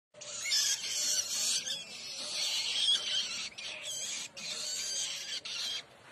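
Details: Hand-reared woodchat shrike chicks, fed mealworms, give harsh, hissing, rasping begging calls in long, nearly continuous bursts, broken by brief pauses.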